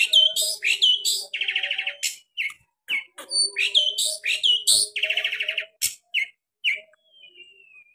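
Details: Lively long-tailed shrike song of sharp 'tembakan' variations, mixing quick rising whistles, buzzy rattling trills and abrupt chips in a varied, restless sequence, ending with a thin falling whistle.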